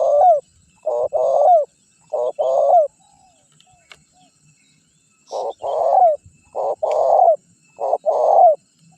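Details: Spotted dove (tekukur) lure recording meant to make wild doves respond: series of short-long coo pairs, the long notes sliding downward, broken by a pause of about two seconds with faint tapping, then more pairs.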